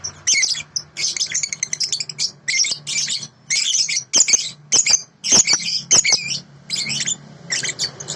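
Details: Sooty-headed bulbul, from a clear tutoring recording: a steady stream of short, squeaky, chattering bursts, roughly 100 a minute, with small gaps between them.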